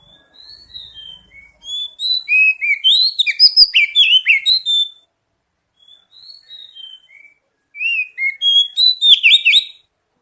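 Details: Oriental magpie-robin song used as a lure and sound therapy to make other birds sing quickly: high whistled notes and rapid twittering phrases in two bursts, the first longer, separated by a brief pause.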